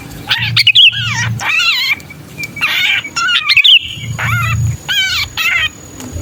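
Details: Pinched-bird distress call of a sooty-headed bulbul, used to pull down wary bulbuls: loud, rising-falling harsh squawks in clusters, a couple of quick whistles, and a thin constant high tone behind.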